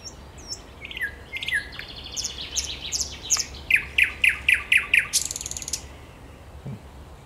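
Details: Thrush nightingale singing on 10 May 2021: high whistled and slurred opening notes, then a fast run of about eight loud, evenly spaced clicking, rattling notes roughly every third of a second, ending in a buzzy burst; quiet background.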